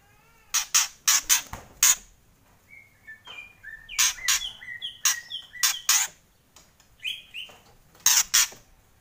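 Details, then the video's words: Loud kretekan song of a white-rumped shama: quick clusters of harsh rattling bursts alternate with short sweet whistled phrases, repeated several times. "Kretekan Murai Keras"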